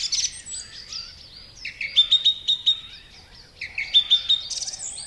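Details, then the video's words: Song thrush delivering separate phrases built on repetition: a short note sounded four times in a row, a brief pause, then the same note repeated three times again, strident and whistled throughout. "Song thrush song is marked by a repetition of notes and phrases and its strident, far-carrying, full-whistled tone."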